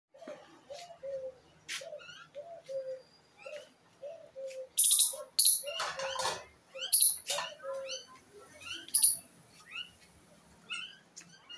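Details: Pet myna sings a varied medley: low repeated gurgling notes, sharp high whistles and harsh chattering bursts, delivered in quick irregular phrases.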